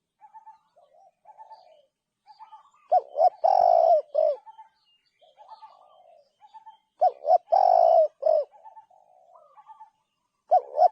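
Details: Spotted dove with soft murmuring coos between two strong phrases, each made of two short rising notes, a long drawn-out coo and a short final note, with a third phrase beginning as the recording ends.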